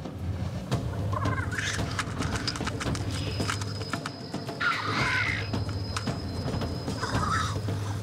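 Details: Male black grouse at their traditional spring lek in the largest wetland of the Bohemian Forest, displaying to impress females, give a low, continuous bubbling coo broken by harsh hissing bursts about every three seconds, with music and narration underneath.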